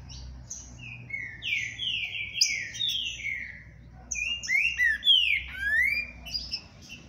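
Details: Green-winged saltator song: two loud bursts of rich, slurred, descending whistled phrases with some short rising notes, separated by a brief pause, over a steady low hum.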